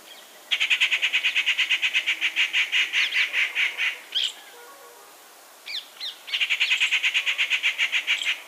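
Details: Rufous treepie (Dendrocitta vagabunda) near Gir National Park, Gujarat, India: two long runs of rapid, evenly pulsed chattering notes, about seven per second, separated by a few sharp rising whistled notes and quieter calls.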